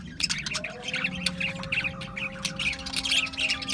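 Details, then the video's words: Australian budgies chirping: busy warbled chatter of quick high notes and scratchy squawks, fairly even in loudness, over a low steady background hum. "Budgies Chirping Sounds"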